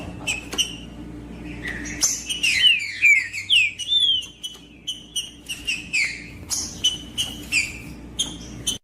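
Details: Singing green-winged saltator, used to stimulate a non-singing bird: a busy run of bright whistled notes, some sweeping down sharply, repeated in quick succession over a steady background hum.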